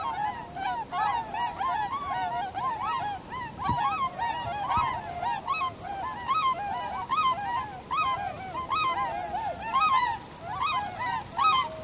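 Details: Wintering Tundra swans recorded 7 February 2015 with an external microphone: a long, continuous chorus of bugling honks, roughly one or two per second from many birds, steady and dense throughout.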